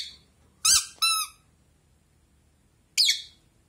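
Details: Rosy-faced lovebird kept as a pet indoors, chattering back at a toy duck. Two clear harmonic squeaks from the toy are followed by one rough, buzzy chirp.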